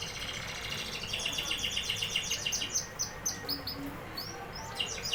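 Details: Singing canary delivering fast rolling trills of rapid repeated notes, about four per second, shifting into sweeping high whistled slurs and chirps toward the end.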